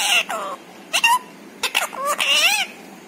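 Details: Pet talking parrot; quick run of voiced, speech-like syllables with sliding harmonic tones, a few clicks between, loud and close.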